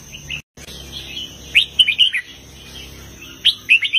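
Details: Southern master-style red-whiskered bulbul song in heavy phrases: a brief note, a short drop-out, then a clustered burst of slurred whistles and, after a pause, another rising group of notes, with low hum.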